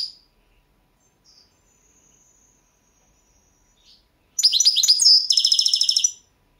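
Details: Competition recording from the 2022 World Championship in Goldfinch Song, Balkan goldfinch: after a long near-silent stretch, a two-second outburst of quick twittering notes ending in a fast buzzy rattling trill.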